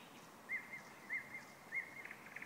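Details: Thrush nightingale singing, recorded with thunder, giving short, slurred mid-pitched phrases about every half second and ending in a quick run of clipped notes, over a soft steady hiss.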